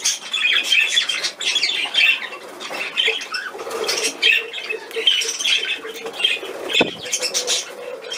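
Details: Hand-fed cockatiel on 28 July 2020 giving rasping, chattering squawks that pulse almost once a second, with a steady low buzzy undertone and a sharp click near the end.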